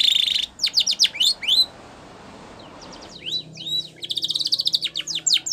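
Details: Canary singing a training song: a rolling trill, then sweeping chirps, a soft noisy pause with faint background hum, and a fast rattling trill toward the end.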